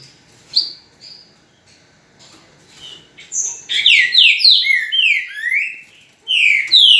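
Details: Green-winged saltator, described as a true trinca-ferro, singing loud clear whistled phrases: a few soft short notes, then from about three seconds a rich run of rapid downslurred and overlapping whistles, pausing briefly before a final loud burst.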